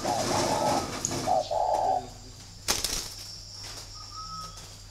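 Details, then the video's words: Spotted doves of the 'thổ' and 'thổ pha' types, captive in Ba Vì near Hanoi, Vietnam, set to fight. Soft low coos run for two seconds, then a sharp knock and quieter background with a thin whistle-like tone. "Cu gáy thổ bên phải màn hình"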